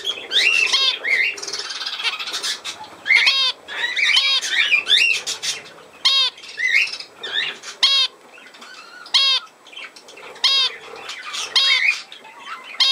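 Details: Budgerigars filmed on 17 November 2024 keep up a lively warbling chatter of buzzy trills, rasping notes and curved harmonic squawks, with loud calls breaking in roughly every second or two.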